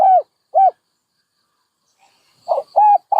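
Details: Two isolated arched hoots, then after a pause a new dove phrase begins with a rough note and further hoots.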